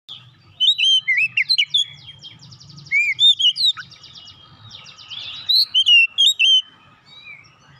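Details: Oriental magpie-robin singing loud, varied whistled phrases with rising and falling slurred notes, delivered in three separate bursts separated by short pauses, over a faint low hum.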